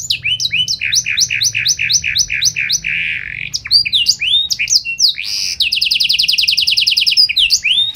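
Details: Canary in full song with special song variations, loud clear phrases of fast repeated rising whistled notes, then sharp chips and a rapid rattling trill of evenly spaced notes, vigorous and varied.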